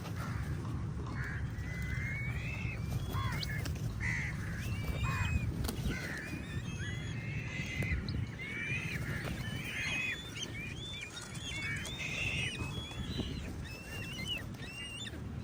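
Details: Lots of crows fighting eagles for food; a long, busy chorus of overlapping harsh caws and rising whistled notes from other birds, steady throughout, over low-pitched rumbling outdoor noise.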